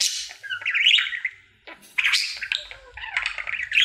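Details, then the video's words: Pet male budgie in a daily singing routine: twittering warble of fast chirps and trilled whistles, a near-silent pause in the middle, then renewed chatter with rising squeaks and clicking notes. "Budgie singing for 1 Hour Happy song!"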